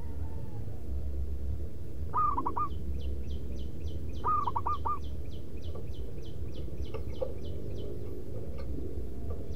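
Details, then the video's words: Local zebra dove kept as a lure bird, giving a loud rhythmic manggung song: two short cooing phrases of quick stuttered notes, about two seconds apart, over a steady low hum, with high repeated chirps from another bird. "Perkutut Pikat Paling dicari SUARA LANTANG MANGGUNG BERIRAMA"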